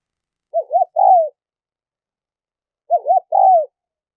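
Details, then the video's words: Spotted dove calls used to lure wild doves: two phrases, each two quick wavering notes and a longer descending coo, separated by a two-second pause in silence. "Tiếng chim cu gáy mp3 dùng kích bổi hiệu quả nhất"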